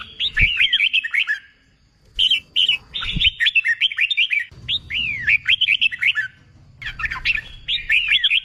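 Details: Red-whiskered bulbul, a fresh wild bird being trained to sing in competitions, repeats bursts of clear slurred whistles rising and falling, about five phrases with short pauses and occasional low thumps.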